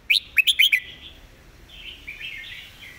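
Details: Red-whiskered bulbul delivering a rapid master-song phrase: five loud, crisp chirped notes in under a second, then a drawn-out sequence of softer, burbling warbles.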